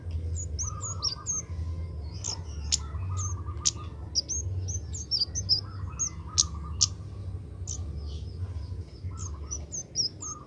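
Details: Oriental magpie-robin, young and being trained to sing sooner, rehearsing: frequent high twittering chirps and short whistled phrases in bursts across the clip, against a repeated lower buzzing band and steady hum.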